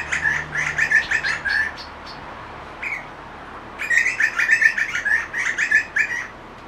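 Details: Grey butcherbird singing in a backyard: two bursts of rapid, bright chirping notes repeated several times a second, separated by a short pause with a single higher note.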